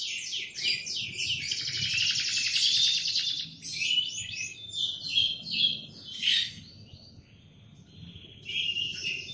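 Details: Canary singing in the morning: a dense buzzy rolling trill for several seconds, then scattered chirps and whistled notes, a brief lull, and the song resuming.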